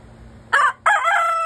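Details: Pet hen calling while laying an egg: a brief harmonic squawk, a short pause, then a longer, drawn-out nasal call held steady until the end, with a quiet background.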